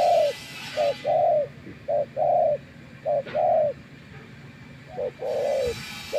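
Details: Spotted dove, a wild bird answering a decoy, giving repeated two-part coos: a short clipped note followed by a longer, fuller, slightly falling coo, about four pairs in quick succession over faint rural background hiss.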